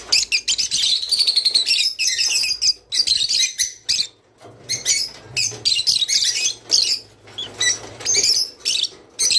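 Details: Java sparrow song used to encourage breeding: dense runs of rapid, high clicking and tinkling notes. A brief silence near the middle separates them from more bubbling, chattering phrases.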